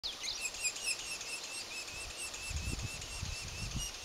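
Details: A red-naped sapsucker (Sphyrapicus nuchalis) at a nest near Sisters, Oregon, calls: a steady, rapid run of thin, squeaky notes, several each second, with low thumps and rumbling noise in the second half.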